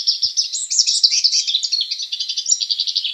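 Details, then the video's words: A hooded siskin sings a long, fast, high twittering warble of rapid chattering notes, delivered without pause; nothing else is heard. "CANTO DE CABEZITA NEGRA COMÚN"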